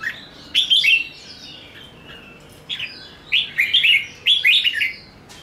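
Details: Red-whiskered bulbul in excited fighting song: a loud tumbling phrase, a brief lull, then quick repeated clear whistles building into a rich, bubbly finish.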